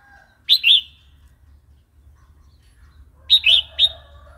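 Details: Wild-style song, phleng pa, of a Red-whiskered bulbul, used for training young and wild-caught birds: a short double-noted liquid phrase, a long pause of nearly three seconds, then a brighter three-part whistled phrase.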